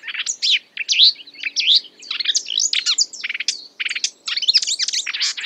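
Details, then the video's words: Marsh warbler copying other birds' sounds, delivering loud slurred whistles, buzzy rattles and rapid chirps in a restless, ever-changing sequence. "A marsh warbler (Acrocephalus palustris) imitating other birds"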